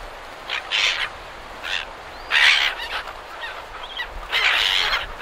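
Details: Several silver gulls calling near the surf at Perth, Australia: harsh, raspy squawks in bursts of about half a second, some louder and closer, repeated every second or so over a steady wash of breaking waves.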